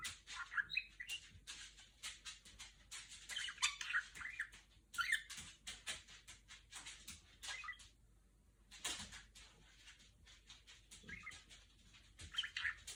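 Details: Female pet budgerigar chattering indoors while imitating R2-D2 sounds: soft, rapid clicks and short chirps in dense bursts, a few brief whistled notes, and a short pause near the eighth second.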